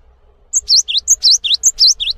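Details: Cinereous tit singing actively, recorded as a tutor song for other birds: a quick series of piercing high notes, short flat whistles alternating with looping down-up slurs, about nine notes in under two seconds.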